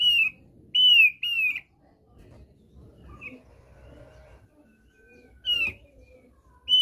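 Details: Thick-billed white-eye from East Nusa Tenggara (NTT), Indonesia, giving its basic song (kicau dasar): loud, clear whistled notes, slightly buzzy, in short bursts of about half a second. Four bursts are separated by pauses, over a faint low background rumble.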